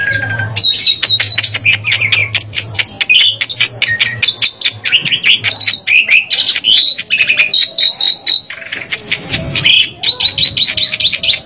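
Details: Asian pied starling song used as a lure to get another bird singing: a dense, varied run of whistles, chattering notes and harsh buzzy phrases, with a low hum beneath.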